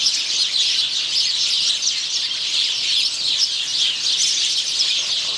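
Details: Singing male house sparrow, 17 November 2009: unbroken high-pitched chirping and chattering notes packed closely together, keeping an even loudness from start to end.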